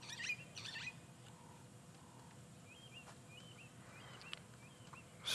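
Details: Starlings in the African bush at sunrise on 8 November 2016, early summer, calling as calm returns: short, faint whistled notes, some slurred up and down, over low rumble with a few scratchy bursts.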